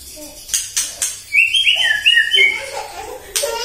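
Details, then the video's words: White-rumped shama morning lure song meant to provoke other birds: a few sharp clicks, then a run of quick rising whistled notes, with faint lower murmuring behind. "PAGI-PAGI MURAI AUTO EMOSI MENDENGAR PANCINGAN INI❗ GACOR FULL❗❗"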